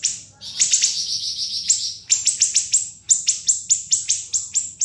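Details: Siri-siri tutor song: a harsh buzzy trill at the start gives way to a steady series of shrill, sharply falling notes, nearly twice per second, each one crisp and loud.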